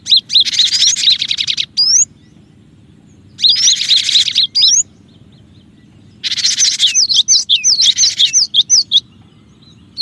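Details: Cinereous tit calling in a recording made to lure birds: harsh buzzy chatter bursts alternate with sharp rising whistles. It ends in a run of quick slurred whistled notes. Low hum throughout.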